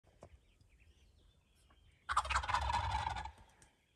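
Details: A strutting wild turkey gobbler, one of three attacking decoys, gives a loud, fast gobble: a rapid, rattling, descending string of notes lasting just over a second, after a quiet start with faint rustling.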